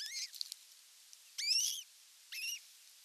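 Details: At a Finnish osprey nest on 27 June 2022, while a whole fish is brought for dinner, three sharp whistled calls sound: one short note, then two longer slurred, slightly falling whistles about a second apart. Faint ticking is heard between them.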